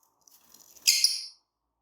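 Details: Pair of green Fischer's lovebirds: one harsh, hissy, high-pitched squawk lasting about half a second, preceded by faint soft chatter in a quiet indoor setting.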